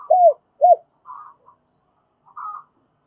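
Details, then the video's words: Spotted dove used as a decoy, calling in a double voice to draw wild doves: two strong, low, arched coos followed by softer, higher rasping notes. "Tiếng chim cu gay mồi thúc bổi và gáy gọi giọng đôi"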